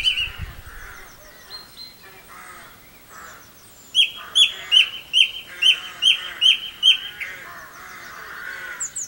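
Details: Song thrush in song at Campbeltown, April 2012. After quieter varied notes, one clear ringing phrase is repeated about eight times in quick succession, each note loud and emphatic, with a faint murmur of other birds behind.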